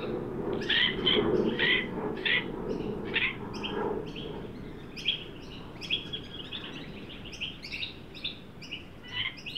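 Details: Australian magpies, an adult leading a juvenile, at a new garden birdbath in Sydney during a 43-degree heat wave, 9 Dec 2023. A burst of harsh, scratchy calls comes early, then fades under ongoing high, repeated chirps from other birds.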